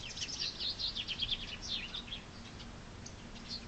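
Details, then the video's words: Springtime chaffinch singing a brisk, bright phrase of rapidly repeated high notes that cascades down over about two seconds, then a few faint notes in a quieter stretch. "Chaffinch singing spring's praise!"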